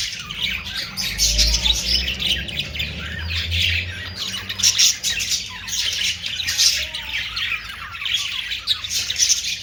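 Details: Busy budgerigar chatter: grating squawks and warbled chirps come in uneven bursts with little pause, joined by a low rumbling background noise early on.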